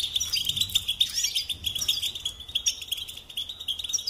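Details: Continuous twittering from a cage-kept European goldfinch, fast liquid chips and jangling notes layered over a sustained high ringing tone with no pause.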